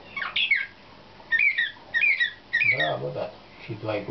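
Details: Canary of the slavujar (nightingale-type) song style, 2013, selected for competition and heard in training: clear whistled phrases, each sliding downward, repeated in short bursts with pauses, and a low nasal sound partway through.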